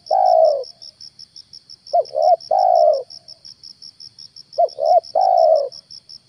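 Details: Spotted dove used as a lure bird for trapping wild doves in the morning. It gives a cooing phrase of two short rising notes and a longer falling coo, repeated twice. A steady pulsed high insect trill runs throughout.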